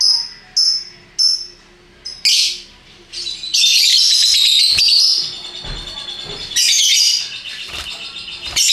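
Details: Various-coloured lovebirds giving ngekek song: three short piercing chirps, a scratchy squeal, then a long, loud, continuous rattling chatter of high shrill notes.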